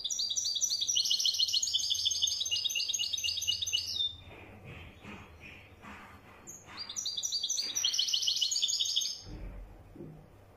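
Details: Wedyani European goldfinch singing: two long bursts of rapid, high-pitched tinkling twitters, about four seconds then roughly two, separated by a quieter stretch with scattered soft chirps.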